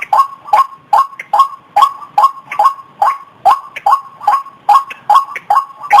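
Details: White-breasted waterhen calling as a lure: loud nasal croaks, each sliding downward, delivered in a fast regular train of about fifteen notes with a few softer overlapping notes between them.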